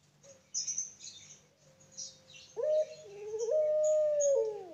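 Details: Farm-bred Barbary dove of the long-cooing puter pelung type. A faint steady coo comes first, then a loud, long drawn-out coo that swells and holds level before sliding down at the end. Small birds chirp high in the background.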